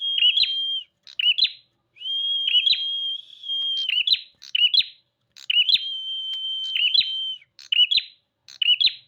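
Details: Singing bar-winged prinia, the prenjak: long level whistles broken by buzzy rising flourishes, phrases run nearly continuous over nine seconds, clean background.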